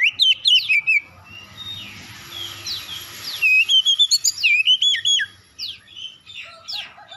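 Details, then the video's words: Oriental magpie-robin song used as a lure to provoke other magpie-robins into singing: loud, rapid whistled phrases, sliding and warbling notes in quick bursts, with a quieter patch midway before another fast run of sharp notes. "DALAM HITUNGAN DETIK KACER LAIN LANGSUNG RESPON GACOR SEKALI PANCING"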